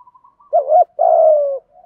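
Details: A single spotted dove coo phrase, 'thổ thúc gù' style, used to prompt freshly caught caged doves to start cooing: a brief bent note followed by a sustained, slowly falling coo, with faint soft notes before and after.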